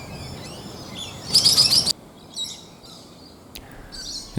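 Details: Swift parrot (Lathamus discolor), likely an adult male, calling on the Toowoomba Range on a June 2024 morning during annual migration from Tasmania: a quick series of five or six high, sharp chirps, then fainter high twittering over soft outdoor hiss.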